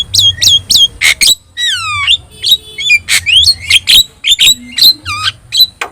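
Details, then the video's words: Singing Javan myna with yellow eyes, recorded as tutor song for other birds: quick chattering clicks, long falling slurred whistles and bright rising notes in a varied, busy phrase. "JALAK KEBO GACOR MATA KUNING | Untuk Masteran Kicau Jalak"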